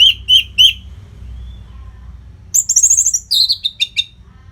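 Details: Orange-headed thrush song used to train fighter birds: three quick chirps near the start, a pause, then a rapid run of varied high whistled and trilled notes, some sliding downward.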